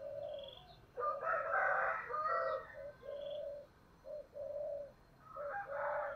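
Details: Spotted dove cooing in the "thổ" voice style, giving calling coos: low, hollow coos repeated in short bouts, with louder, fuller phrases around the first and fifth seconds and quiet gaps between.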